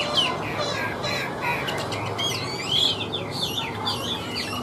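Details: Chinese hwamei from the wild giving softer, more broken song: scattered whistled notes and sweeping slurs, with a brighter looping phrase near the end, over a steady background hum.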